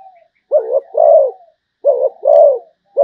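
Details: Two close-recorded cooing phrases from a Malaysian zebra dove, each a brief burbling note and then a fuller, drawn-out coo, repeated after roughly a second and a half.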